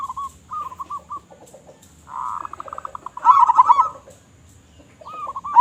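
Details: Actively singing local zebra dove with a big voice, as a lure for other doves: soft pulsed coos, then a buzzy rapid run of notes leading into a loud rolled coo phrase, followed by quieter trailing coos.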